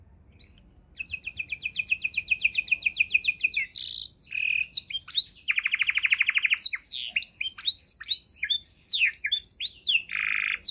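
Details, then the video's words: Canary 'isian' song used to tutor songbirds: long rapid trill of high repeated notes, then a deep buzzy roll and a run of arched whistles with another buzzy phrase. "kenari isian mewah‼️sangat cocok untuk masteran burung"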